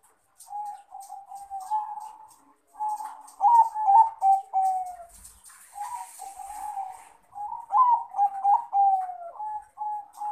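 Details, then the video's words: Zebra dove male of the crossbred Bangkok type calling to a rival, giving repeated phrases of quick, throaty, bouncing coos with falling endings, separated by brief gaps. "Perkutut jantan Memanggil Lawan"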